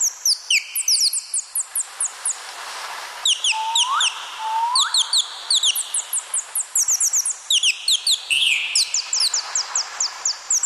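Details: Parrots giving a dense run of sharp, high, downward-slurred chirps from several birds at once, repeated rapidly throughout, with two lower rising whistled sweeps near the middle and a brief rougher note late on.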